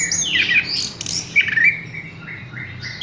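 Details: Short stretch of Horsfield's bush lark song: high descending slurs, a brief rasp, then level whistled notes broken by small gaps.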